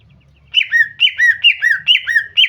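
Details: Female greater green leafbird calling to lure a male into singing: a fast series of sharp, downslurred notes, each dropping from a high peak into a lower whistled tail, repeated about twice a second after a brief quiet start.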